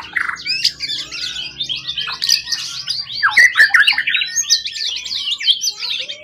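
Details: Long-kept, calm contest bird caught in the forest, tail over 20 cm, in strong form: energetic, varied song of fast slurred whistles, scratchy chatter and repeated high note groups.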